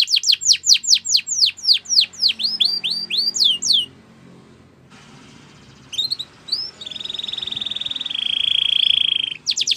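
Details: Belgian canary singing for training other birds: around four seconds of rapid, repeated descending whistled sweeps, a short pause, then rising chirps leading into a long, even, buzzy rolling trill.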